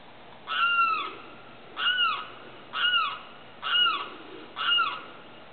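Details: Night calls of a Limpkin, a big grey bird with a long, slightly down-curved beak. Five harsh, drawn-out wails each bend downward, spaced roughly a second apart, against faint constant noise.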